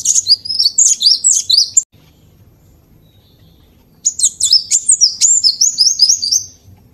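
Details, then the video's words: Cinereous tit singing as a vocal tutor: two bursts of fast, very high, slurred twittering phrases separated by about two seconds of quiet. "Guru Vokal | Master Burung Glatik Batu / Wingko"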